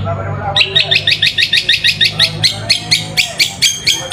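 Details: Long-tailed shrike song used as a lure to provoke lazy shrikes into singing; rapid series of harsh, scratchy chattering notes repeated about twice a second, preceded by a brief low hum.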